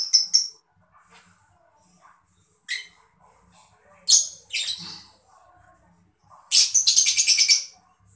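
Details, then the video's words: Mocha lovebird chirping, used to stimulate other birds to sing: scattered sharp high chirps and squawks, then a fast stuttering run of shrill pulses near the end, with faint rustling between calls. "lovebird mocca gemericik cocok buat mancing burung biar gacor"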